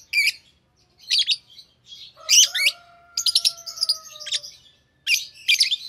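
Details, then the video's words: Chirping from a green Fischer's lovebird pair: sharp, high, squeaky notes in bursts, with rapid stuttering chatter in the middle and a thin, steady, slightly falling whistle-like tone underneath for about two seconds. "Lovebird Singing & Chirping Sounds - Green Fischer Pair"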